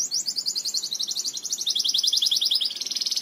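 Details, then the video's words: Belgian canary song used to teach canaries to sing: a fast, continuous high trill of rapid repeated notes, gently falling then rising in pitch over three seconds. "CANTO PARA ENSINAR CANÁRIOS BELGAS"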